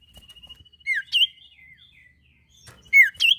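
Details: Sirtu bird singing to prompt other birds to sing: a thin sustained high whistle beneath pairs of loud, sharp, swooping chirps that repeat after a short gap.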